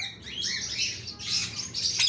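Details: Ring-necked parakeet talking: quick runs of high, squeaky, harmonic syllables that slide up and down, delivered in three short bursts with tiny gaps, ending in a sharp click.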